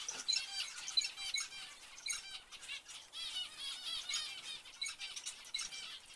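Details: Zebra finches repeat honking nasal call notes, irregular but close together, with a few louder beeps standing out from the chorus.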